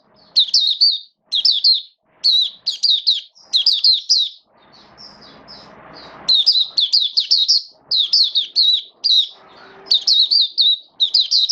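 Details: Oriental white-eye, hobby bird in form training during wet weather, 8 October 2022, sings long runs of fast, high chirped notes grouped in clusters of three to five, one pause filled with low murmuring noise.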